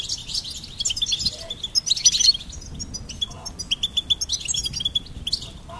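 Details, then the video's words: High, tinkling goldfinch song with a dense rush of notes early, followed by evenly spaced rapid chirps. "Goldfinch Singing and Song Compilation"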